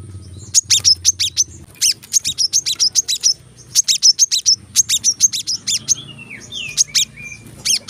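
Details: Clusters of sharp, very high chips from a brown-throated sunbird in the tembakan rapat masteran style, spaced in irregular bursts, followed by a few falling slurred whistles, with a low background hum.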